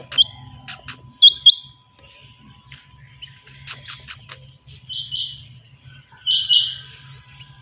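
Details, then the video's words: Morning quail in captivity giving scattered high, clipped double notes amid lighter chirps, over a steady low electrical hum. "Suba ky waqat chinga batair ki awaz/morning sound of Quail bird"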